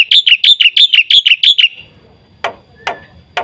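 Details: Black-winged Myna singing a varied song meant to stimulate other birds: a quick series of bright chirped notes for nearly two seconds, then three separate dry clicks.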